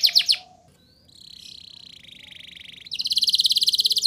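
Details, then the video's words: Canary song used as a prompt for young canaries: a few sharp notes, a quiet gap, a sustained buzzy rattling trill, then a loud fast high trill. "Suara Burung Kenari Gacor Ngerol Nembak! Ampuh Untuk Pancingan Kenari Paud Biar Bunyi"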